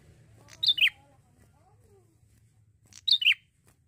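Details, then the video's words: Two crisp, downward-sliding double chirps from a young male Bar-winged prinia in Indonesia, about two and a half seconds apart. Faint lower whistles and a low hum sound between them. "PANCINGAN PRENJAK JANTAN ,MASIH MUDA SUDAH GACOR SANGAT"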